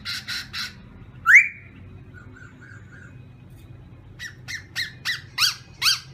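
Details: Black-throated laughingthrush in morning voice-training song, in a small indoor space: harsh raspy bursts, then a sharp upward-sweeping whistle, a few soft short notes, and finally a quick series of high, scratchy, descending chirps repeated several times.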